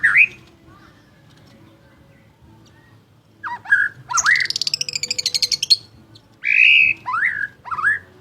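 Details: White-rumped shama, a champion singer, gives scattered whistled notes, then a fast rattling trill lasting over a second, followed by loud slurred whistles. A faint low hum is heard beneath.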